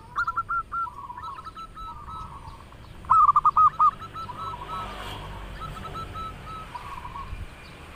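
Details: Melodious song of a local zebra dove: a rapid burst of staccato hooked coos, then a loud close phrase around the middle, trailing into softer rolling notes from doves answering behind.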